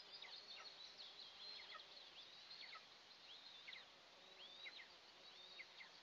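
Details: Two eaglets of the Eastern imperial eagle at morning feeding time in the nest, 29 June 2024, nest camera. Sharp, high chirps each dropping steeply in pitch, roughly one per second, over a steady hiss.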